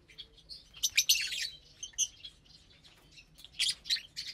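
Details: Lovebirds at breakfast on mixed seeds and greens, Saturday morning, April 30, 2022. A dense run of quick, shrill chirps is followed by scattered twitters and a final cluster of sharp notes.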